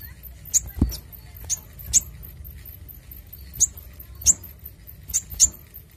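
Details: Brown-throated sunbird calling loudly, recorded clearly as lure and tutor sound: separate piercing high chips, single or paired, at uneven gaps of about half a second to two seconds, with soft low hum behind.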